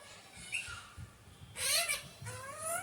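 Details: After faint, thin whistled notes, an Alexandrine parakeet, described as a naughty parrot, gives two loud, rough squawks, the second with a steadily rising pitch.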